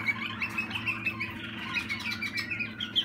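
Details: Waterslager canary youngster of 2020 delivering rapid, evenly spaced chirped notes and short trills at a bright pitch, over a constant low hum.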